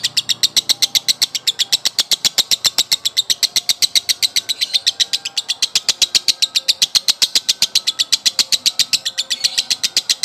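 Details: Male lovebird delivering an extended 'konslet' (ngekek) song: a rapid, even string of shrill, clipped notes at roughly four per second, sustained without a break and loud against quiet surroundings.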